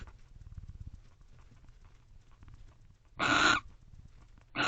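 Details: Barn owls in a nest box at night, one arriving to guard beside its mate; low rustling and shuffling, then a single loud hissing screech near the end and the start of another.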